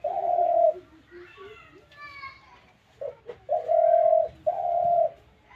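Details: Spotted dove, a caged bird recently brought home, calling: a steady, hollow, low coo at the start, then a pause filled with human talk and a child's voice, followed by two more long, even coos.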